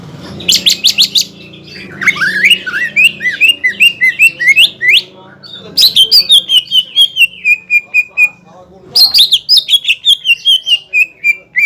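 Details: Greater green leafbird singing to provoke a rival: an intense trill-like burst, then cascades of rapid descending whistles repeated in long energetic runs, with a faint low hum beneath.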